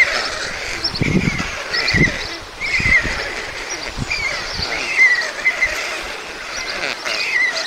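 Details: Feeding at a white stork nest in Mladé Buky, Czech Republic, on 20 June 2022, two beaks being fed: thin squeaky calls repeated every second or so over steady outdoor background, with scattered low knocks.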